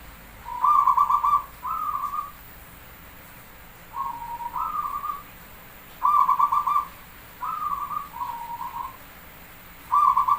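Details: Zebra dove, called perkutut, Javanese type, singing to lure other birds: repeated sets of short pulsed coos in twos and threes, some phrases stepping up in pitch, over ten seconds with short pauses.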